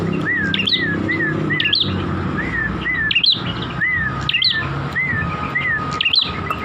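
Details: Chestnut-crowned warbler song: short whistled notes that dip then rise, repeated roughly every half second, mixed with sharp high chirps and clicks, over a steady low hum.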